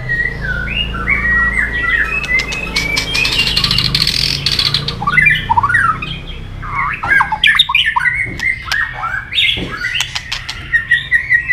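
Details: Fighting song of a white-rumped shama used in training: squawky, chattering notes and short slurred whistles in irregular bursts, with clicks and a low background hum.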